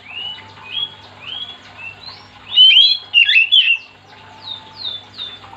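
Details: Oriental magpie-robin singing vigorously to set other magpie-robins singing: soft upward-sliding whistles lead into a loud, tangled burst of twisting notes, then more gentle rising whistles, over a low steady hum.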